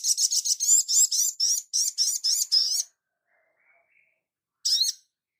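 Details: Crimson sunbird master recording for training: a quick series of high, twisting chirps delivered in rapid succession for nearly three seconds, a quiet pause, then one more short burst.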